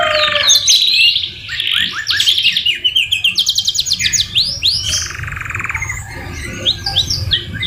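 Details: Singing canary whose song is full of white-rumped shama (murai batu) fill phrases: rapid rattling trills at several pitches, sharp upslurred notes and brief pauses between bursts.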